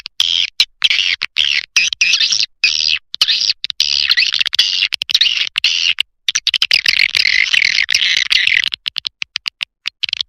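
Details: Swiftlet lure call in the Lidah Api style, used to call swiftlets: dense, high, buzzy twittering chatter in rapid bursts with brief gaps, continuing for about ten seconds.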